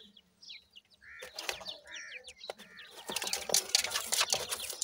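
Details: Grey francolins, a family with five young chicks: after a quiet start, a few arched, whistled chirps come in a loose series, followed by dense rustling and clattering noise.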